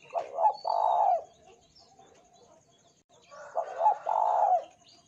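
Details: Lure recording of a spotted dove to make other doves sing, giving two cooing phrases about three seconds apart, each a quick broken coo then a longer rough, drawn-out note.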